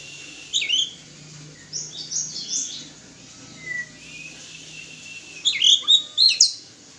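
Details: White-rumped shama at a mating pairing, singing scattered high whistles and sweeping notes, with a louder cluster of bright, rapid phrases toward the close.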